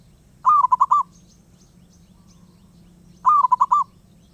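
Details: Wild zebra dove calling constantly, giving two short phrases of fast, rolling coo notes, five or so per phrase, about three seconds apart, with quiet background rumble between them.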